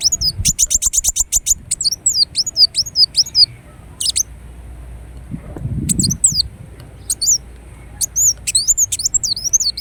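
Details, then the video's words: Ruby-cheeked sunbird (kolibri wulung) from Indonesia, a rapid burst of very high, thin ticking notes, then sharp upward and downward swooping whistles in short clusters with brief pauses, over a faint low hum. "Kolibri Wulung Gacor Dorr Bocor Corr || Pancingan dan Terapi Bunyi Andalan"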